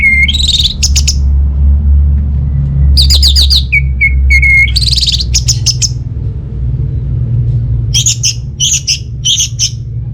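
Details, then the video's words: Orange-headed thrush singing, used as a lure to get idle home birds singing: rising whistled notes, dense trills and bursts of sharp chirps in several phrases, over a steady low rumble. "Gak Sabar ANIS MERAH Mau Nyaut Gacor❗❗❗Pancingan Ampuh Buat Burung Dirumah yang lagi Malas Bunyi"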